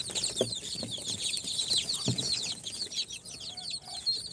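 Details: Shrill, rapid peeping from a brood of four-day-old chicks hatched in an incubator, mixed Sultan, Golden Sebright, Cochin and booted breeds. Calls overlap constantly, with a couple of dull knocks in the background.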